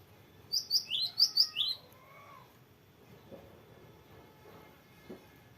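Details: Cinereous tit (gelatik batu) singing a short rolling burst of about six high, clipped, repeated notes, followed by near silence with soft low knocks and faint background murmur.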